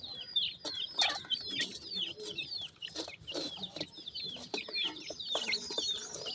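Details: Black partridge chicks keep up a busy chorus of high, falling peeps, partly masked by clattering knocks and scratchy handling noise.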